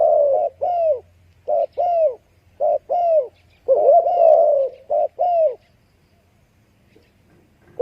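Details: Spotted dove cooing: a series of short hollow coos near 600–700, grouped in pairs with one longer drawn-out phrase in the middle, then a pause and a final coo.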